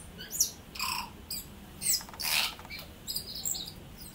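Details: New Zealand tui in song: uneven phrases of wheezy high notes, a lower hollow tone near one second, and crackling rasping bursts spaced irregularly across about four seconds.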